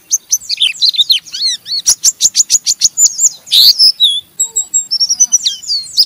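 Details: Oriental white-eye in a cage singing its rough ngeriwik chatter to stimulate other white-eyes; a rapid series of sharp clicking strokes, then buzzy twitters and high whistled slurs.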